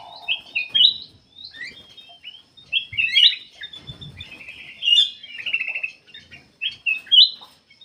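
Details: Black-capped bulbul song for luring other birds into singing: a varied string of sharp chirps and short warbled trills in separate bursts, opening with a lower whistled note.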